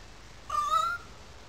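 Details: A currawong calling out in a small gully above wetlands in Sydney Park, St Peters, Sydney: one clear, steady, slightly rising whistled note lasting about half a second.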